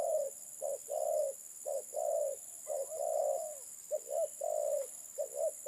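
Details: Spotted dove (terkukur) uttering a sequence of soft low coos, short clipped notes followed by drawn-out ones, repeated about once a second over steady background hiss.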